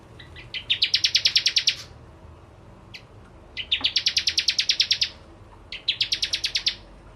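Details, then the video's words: {'caption': 'Lively bar-winged prinia song used to trigger other birds: three quick phrases of bright, metallic chips that climb at the start and settle into a rapid, steady series of about a dozen notes, separated by short pauses.'} "Burung Prenjak Jawa Gacor Pancingan Ciblek Kristal"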